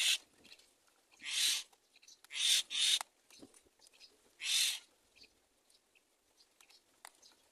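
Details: Young mynas in the nest begging while they wait for their mother to feed them: four harsh, noisy hisses, two of them close together, with quiet clicks and chirps in the gaps.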